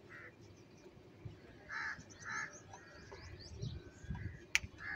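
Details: Crows quarrelling over cheese utter scattered hoarse caws, a close pair in the middle and another at the end, with a sharp crack and low background noise.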